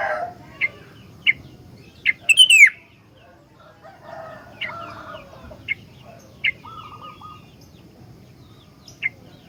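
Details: Highly vocal sooty-headed bulbul, used to lure and train other bulbuls, gives spaced sharp chirps with a loud, quickly falling whistled note early on and a few softer lower warbling notes between.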